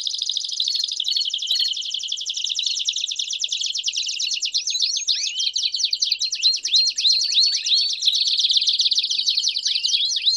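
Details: Singing canary meant to stimulate song and train fledglings; fast buzzy trills give way to a run of rapid rising and falling chips, continuous and high-pitched throughout.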